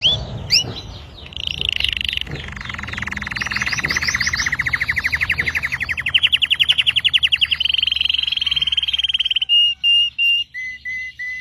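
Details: Belgian red canary singing: a long rapid rolling trill that shifts in pitch, rising into a brighter stretch, then sustained whistled notes repeated in steady pulses, with faint low background hum.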